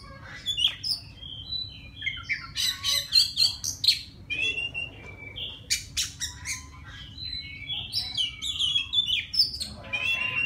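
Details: Wild white-rumped shama singing to call a female: a fast, varied run of clear whistles, sharp chirps and buzzy bursts, several notes each second, with brief pauses and a steady low hum beneath.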